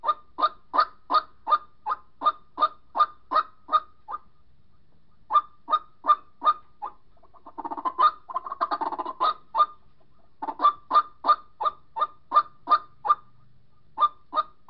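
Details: White-breasted waterhen calling for a partner, used as a bird-catching lure: runs of rapid harsh honking notes broken by short pauses, with a burst of rougher, jumbled croaking in the middle before the steady series resumes.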